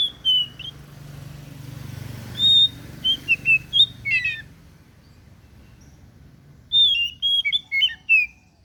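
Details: Kacer daput, an oriental magpie-robin, sings high sweet whistles and short slurred notes in scattered bursts. A quiet spell follows, then a lively run of varied whistled notes, over a faint low rumble.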